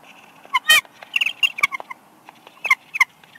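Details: Bald eagle pair calling back and forth at the nest at Big Bear Lake, California, in March 2021 during incubation. Loud, shrill chittering notes come in quick clusters, one long squealing note near the start, then scattered piping chirps.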